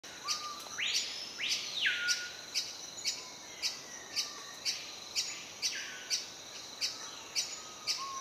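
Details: Male Great-billed Hermit singing at a lek in rainforest understory at Sadiri Lodge, Madidi Park, Bolivia, in breeding season: a high, sharp squeaky note repeated about twice a second, with a few rising buzzy sweeps early on and a faint low whistle behind.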